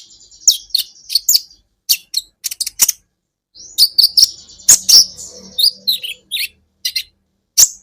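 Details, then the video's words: Van Hasselt's sunbird song used as a training recording for caged songbirds: sharp, very high chirps and short twittering bursts, with rapid buzzy trills in the middle and brief pauses between phrases. "Masteran buat KOLIBRI Ninja Bahan Agar BUNYI"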